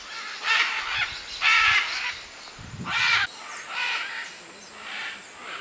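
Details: Macaws at a clay lick in the Manu jungle, Peru, 2008, among many birds; several separate loud, harsh squawks spaced about a second apart, one accompanied by a brief low rumble, then softer calls.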